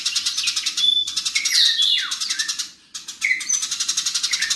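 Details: Fighting house sparrows: shrill rapid chirps broken by two brief pauses, with sharp descending whistled sweeps and a rising slur between the bursts of harsh chatter.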